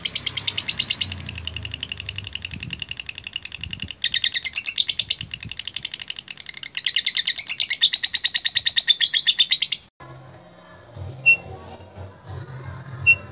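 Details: Latah-type contest lovebird in strong song, meant to call rival birds. Nearly ten seconds of rapid rattling, high-pitched trilling in three bursts, then near quiet with faint low background hum and two soft short pips.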